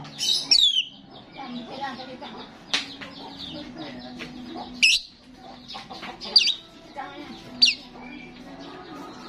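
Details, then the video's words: A lively starling used as a lure for other starlings gives an opening descending whistle, then scattered sharp chips and short whistled notes over continuous chattering. "Attract starlings ‼️ sound of the gacor starling every time"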